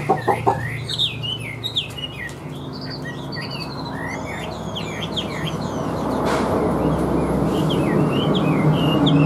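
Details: Caged Chinese hwamei singing loud, varied whistled phrases with rising and falling slurred notes in quick succession, strongest in the first half, fading behind a steady low hum and a brief noise burst near the end.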